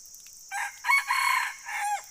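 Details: Red junglefowl crow: a short lead-in note, a loud rasping middle section in two pulses and a long closing note that drops in pitch at the end, set against a persistent high hiss.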